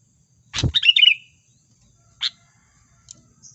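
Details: Sooty-headed bulbul lure call used for bird trapping: one bright chattering phrase of quick chirps with a short trailing whistle, then a few isolated high chips spaced about a second apart.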